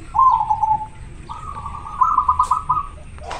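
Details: Local zebra dove in strong breeding condition with a very clear natural voice: a short falling coo, then a longer, steady trilled phrase breaking into rapid pulses, ending in a faint rustle.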